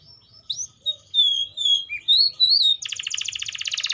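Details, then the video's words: Atlantic canary singing a clear, varied phrase: sliding whistled notes that rise and fall, then a sudden fast, rattling trill of rapidly repeated notes lasting over a second, with a faint low hum beneath. "THE SOUND OF THE CANARIA SERINUS ORIGINAL SOUND LIKE IN THE WILD"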